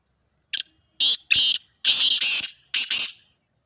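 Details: Grey francolin (teetar) call played to prompt captive birds to start calling, used in training: loud harsh broadband notes, a short one then two doubled bursts, then a final pair, all in close rapid succession.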